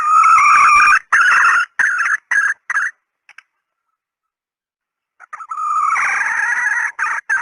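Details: Female red junglefowl decoy call: loud, harsh clucks repeated rapidly for three seconds, a silent gap, then a long, rough, sustained note broken by a few short clucks.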